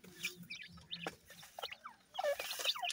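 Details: Seven-day-old grey francolin chicks feeding: thin, high peeps, many sliding downward, scattered and overlapping, with sharp pecking clicks and a faint low hum at the start.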